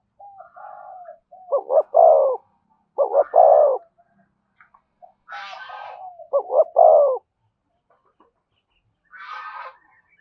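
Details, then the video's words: Three repeated coo phrases from a spotted dove in thổ and thúc style, each a brisk double note leading into a long, low, rough coo, with brief higher twittering notes between. "tiếng cu gáy giọng thổ thúc và kèm hay nhất"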